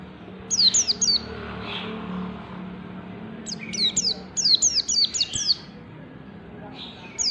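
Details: White-eye (pleci) song in the 'ngalas bukpar' style, a training recording for caged birds: short clusters of sharp, high falling whistles separated by quiet gaps, with a longer rapid run midway.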